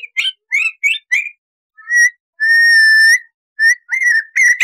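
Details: Crested laughingthrush tutor recording: four short slurred whistles, a pause, then a long clear held whistle, and further quick whistled and chattering notes.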